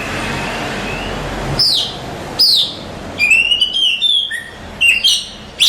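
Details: Oriental magpie-robin, a contest champion, sings over steady background hiss: loud downslurred whistles about every second, then a quick series of clear rising notes and chirps.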